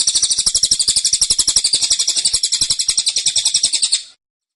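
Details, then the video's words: A caged cililin's tembakan runs for about four seconds as a dense stream of sharp, high, ringing notes, ending abruptly in silence. "Tembakan Cililin Suara Rapat Dan Ngotot"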